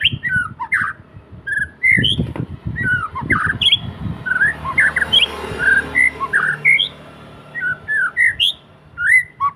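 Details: White-rumped shama kept at home delivering a steady string of rich, slurred whistles and short chirped phrases, each note rising or dropping, over muffled low rumbling and knocking background sounds.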